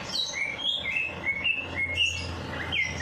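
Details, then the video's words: Bird in full song after its night bath: quick series of bright whistled notes, each a short rising or falling slide, about two per second, over a faint low background hum. "Perangsang Burung Malas Bunyi || Habis Mandi Malam Langsung Cor Dor"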